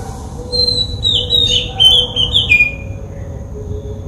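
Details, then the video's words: Oriental magpie-robin in Sri Lanka calling with a sequence of high, warbling whistled notes that wander up and down, set against constant low-pitched background hum. "Oriental magpie-robin calls"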